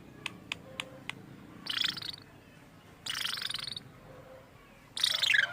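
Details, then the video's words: Lovebird giving odd sounds, reportedly mimicking the human voice: four quick sharp clicks, then three loud harsh, hissing screech bursts spaced about one and a half seconds apart. "Burung Love Bird bersuara aneh"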